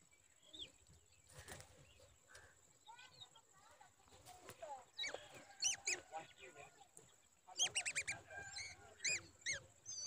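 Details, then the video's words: Babbler mother calling in alarm while protecting her chick from danger; sharp, slurred, rising and falling notes in scattered bursts, busier in the second half, with a steady high whine and low rumble behind. "Babbler baby is in danger and mother trying to protect him"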